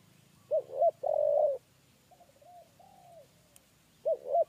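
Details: A spotted dove coos in the 'kuk 3' pattern during luring. Two arched notes and a long coo are followed by softer, fainter drawn notes, then a new pair of arched notes. A low hum runs underneath.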